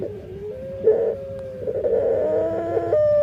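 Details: Dove (burung puter) with an unusual voice, possibly defective and very different from other doves: long, steady, slightly nasal tones held at one pitch, with small upward steps and a faint background hum.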